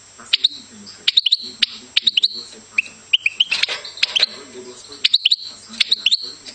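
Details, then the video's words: Singing goldfinch giving scattered bursts of high, sharp chirps and short whistled slurs, mostly in quick pairs or triplets separated by brief pauses, over a faint low background hum. "Goldfinch Singing"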